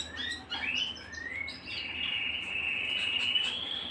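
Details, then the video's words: Singing at home, a canary gives a few quick rising whistled notes, then settles into a long, even, high rolling trill that lasts the rest of the phrase. "canary bird - canary singing - canary sounds - canary singing at home"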